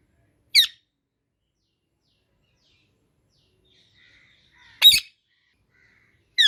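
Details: Three loud, raspy screeches from an Indian ringneck parakeet, spaced several seconds apart with silence between, the middle one strongest.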